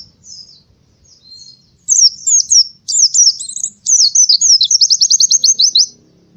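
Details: High, sweet warbling from an Oriental white-eye at morning time: quick jumbled chirp phrases run straight into a rapid rhythmic trill of thin notes, about four seconds of continuous song.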